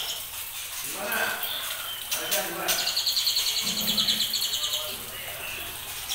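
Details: A human voice and scattered noises come first, then a white-rumped shama a little over two months old, bred from champion parents, breaks into a fast run of high repeated trotol notes lasting about two seconds.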